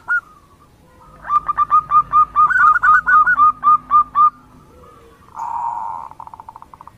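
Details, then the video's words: Female zebra dove calling the male, used as a lure call: a run of about a dozen clear, evenly spaced whistled coo notes, then a short buzzy burst and a quick string of softer clipped notes. "Pancingan perkutut Betina memanggil Jantan"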